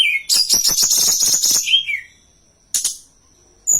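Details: Hill blue flycatcher song, played to lure and train birds: a low whistle leads into a rapid rattling series of about ten buzzy pulses, ending in a falling slurred note, then two brief isolated chips.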